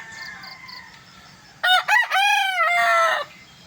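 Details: Early morning among chickens and chicks: quieter crowing and faint chick peeps, then one rooster gives a loud crow of two sharp opening notes and a long, hoarse, drawn-out tail.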